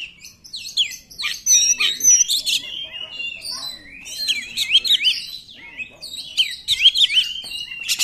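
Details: Oriental magpie-robin singing continuously, used to excite other magpie-robins into song; dense, varied whistles with sharp upward and downward slurs, interspersed with scratchy buzzing notes.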